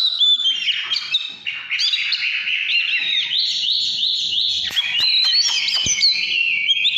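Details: Oriental magpie-robin pouring out căn lửa song: layered whistles and chattering runs flow continuously, with a few crisp clicking sounds near the end.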